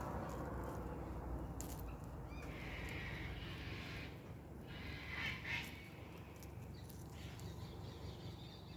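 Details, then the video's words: In winter, wild cockatoos give harsh, raspy screeches in a few spaced bursts, some distant, over a steady low rumble of wind and handling noise. "the sound of wild cockatoos"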